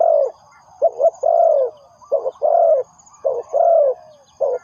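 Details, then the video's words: Spotted dove calling, used as a lure for trapping: deep mellow coos in a repeated phrase, a short note, a doubled note and a long drawn-out coo, the pattern cycling roughly every two seconds. "The Sound Of Spotted Dove is good"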